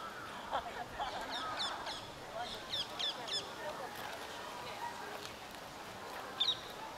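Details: Rose-ringed parakeets (Psittacula krameri) in Inokashira Park, kissing and fighting, give harsh, screechy squawks in quick bursts, several notes close together, with softer chatter and outdoor background hiss between.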